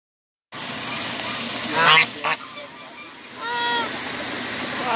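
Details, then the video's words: Angry geese, a few honks with stacked, nasal harmonics heard late in the clip after a brief harsh burst, over steady background noise. "Angry geese"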